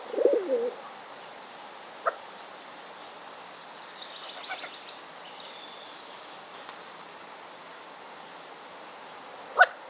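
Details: Wild city hooded crow fledgling with hiccups: a soft, wavering low note opens, then brief abrupt hiccup sounds follow at irregular intervals, the last one loud, amid quiet background hiss.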